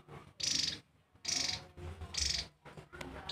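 Javan tesia giving very high, fast, glittering trilled bursts, each under half a second, about once a second, over a low background hum.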